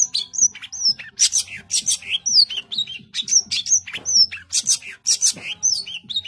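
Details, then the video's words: Long-tailed shrike singing vigorously: loud, raspy, buzzing bursts interwoven with clear slurred whistles, dense and almost unbroken. "Cendet GACOR full tembakan rapat"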